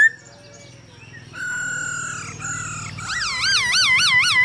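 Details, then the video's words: Male hwamei singing in answer to a female's calls, a recording meant to train birds to sing: clear whistled notes, then a fast run of looping, warbled trills rising and falling over a low steady hum. "Khướu trống hót múa cực đỉnh kèm tiếng mái ro kích quá hay"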